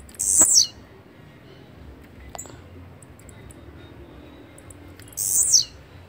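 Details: A blue-black grassquit (Volatinia jacarina) repeats its song, a brief, explosive, buzzy high note that dips at the end. It is heard twice, roughly five seconds apart, with a soft tick between.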